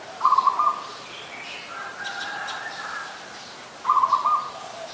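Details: Adult zebra dove recorded 24 February 2022 in Ubon Ratchathani, Thailand: two brief rattling coo phrases, one at the start and one near the end, with softer chirps from other birds between them.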